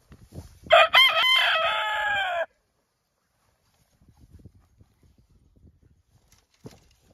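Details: Rooster standing guard over a barred rock hen gives one loud, harmonic crow lasting under two seconds. Quiet rustling and a faint click follow.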